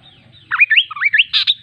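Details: Kaso kaso bird warbling several looping upslurred whistles in quick succession, ending with a short harsh burst of two buzzy notes. Faint low hum in the background.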